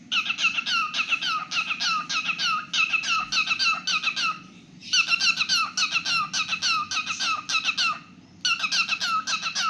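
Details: Pet cockatiel singing in long bursts of rapid, falling chirps that pour out several per second, broken by two short pauses.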